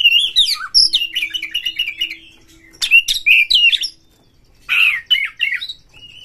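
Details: Oriental magpie-robin singing rapidly to trigger singing in other magpie-robins: long run of warbled whistles and chatter, a pause, then loud rich whistled phrases and a final held note.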